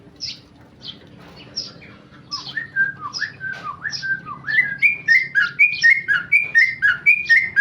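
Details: Tame male Sooty-headed bulbul singing in ropel style, a rapid unbroken delivery: sparse sharp high notes at first, then a dense run of quick whistled notes dipping and rising, about four per second, growing louder and busier toward the end.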